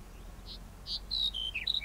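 Black-headed Bunting song: two soft buzzy opening notes, then a quick run of thin, high, clear notes stepping downward, over light background hiss.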